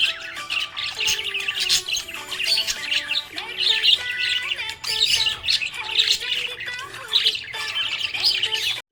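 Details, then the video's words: Happy budgerigar squawks and chatters in dense, harsh high bursts that repeat throughout, layered over stepped background music notes. "Happy budgie chirping sound"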